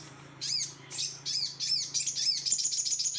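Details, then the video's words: Excited, over-emotional singing from a Sooty-headed bulbul, with high bright chirped phrases repeated about every half second and quickening into a rapid twittering stream near the end, over a steady low hum. "Sogon over emosi"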